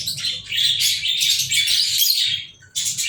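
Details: Lovebirds recorded on 14 February 2023 give a burst of thin, squealing chirps and buzzy chatter, falling briefly silent before another shrill outburst.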